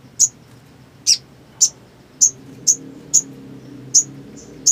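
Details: Black sunbird uttering a steady series of single sharp, very high chip notes, each brief and clean, spaced about half a second apart against a quiet background.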